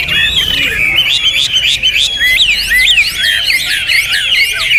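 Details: Hwamei in loud song, rapid varied whistled phrases with steep up-and-down slurs and trills pouring out without break.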